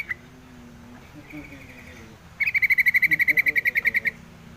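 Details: Yellow-vented bulbul: a faint note and a soft trill, then a loud, quick trill of about seventeen evenly spaced bright notes lasting under two seconds.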